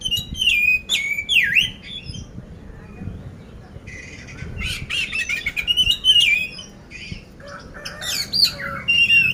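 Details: Oriental magpie-robin, poci type, caged in Magelang, Central Java, with 'isian kasar' rough fill: sweeping up-and-down whistles, then dense buzzy chatter and short sliding phrases.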